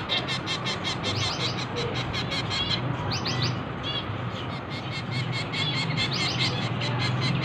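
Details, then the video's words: Begging finch chicks during hand-feeding keep up a continuous stream of high, chattering chirps, around two or three notes per second at times, with a few brighter, rising calls in the middle. "Feeding Finch baby"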